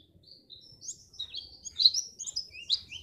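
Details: Brief Pacitan white-eye phrase, played to stimulate contest birds: a few drawn-out, high whistled slurs, rising and falling, over soft low background noise.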